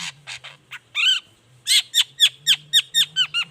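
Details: Long-tailed shrike singing in the morning as a lure: a few buzzy notes, a ringing harsh phrase, then a steady series of down-slurred chirps about four a second over a low hum.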